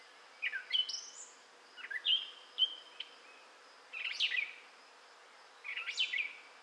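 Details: A gray catbird sings in southwest Michigan in May 2011, giving jumbled squeaky and whistled phrases, some rising, others harsh and scratchy, in bursts about every second or two with short pauses.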